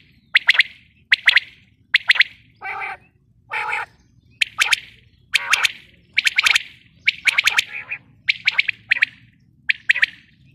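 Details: Female common quail (batair) giving quick bursts of two or three sharp, liquid notes roughly every second. Two short buzzy, nasal notes break the series early on.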